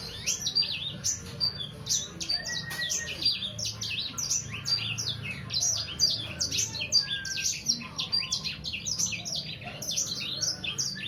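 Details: Young Sangihe hanging parrot, about three months of age, producing a steady, nonstop chatter of very high, rapid chirps and short downslurred notes, evenly dense across the whole stretch.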